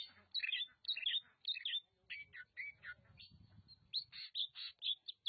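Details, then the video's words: Oriental magpie-robin from Nagan Raya, Aceh, singing a varied run of short bright whistled and chattering phrases, notes sweeping between mid and high pitch in quick bursts with brief pauses. "Kacer Nagan Raya Aceh (Copsychus saularis)"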